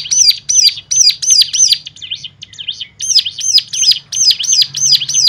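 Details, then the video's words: Stimulation song for rousing other birds: rapid, bright, high downslurred whistles, briefly broken by softer rising-falling twitters midway, then resuming at about three notes per second. "full suara rangsangan jadikan cigun lain mana tahan auto gacor seketika."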